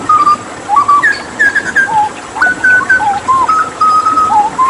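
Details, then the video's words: Hooded butcherbird, a Papuan endemic known for mimicry and used to tutor other songbirds, sings a steady string of pure fluted whistles, each note held briefly, hopping up and down in pitch with short gaps. "Masteran Tembakan JAGAL PAPUA gacor"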